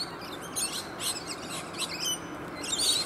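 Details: A flock of rainbow lorikeets, alongside one other bird, feeding on native bottlebrush flowers high in a tree; shrill, scratchy chattering screeches come in short overlapping bursts about every half second over a soft steady hiss.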